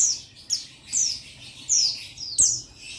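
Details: Male Oriental white-eye of the buxtoni form calling to a rival, used to provoke other males into singing; recorded 15 July 2021. Thin, high, descending whistled notes, five short phrases spaced about half a second apart, over a quiet background.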